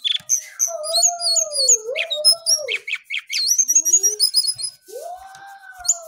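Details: Lesser shortwing singing actively early in the morning: rapid high, thin chirps and trills in quick bursts, over a lower, drawn-out slurred whistle that rises and falls.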